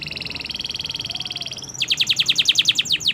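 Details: Canary singing a long 'gacor' song: an extended two-toned trill that rises gradually in pitch, breaking into a quick series of loud, falling whistled sweeps.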